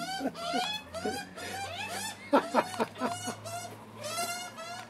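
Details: Several hungry juvenile Australian magpies beg for food on a first visit alongside the wary adult male; dense overlapping raspy, arched squeals repeated quickly, mixed with sharp clicking sounds and low background hum.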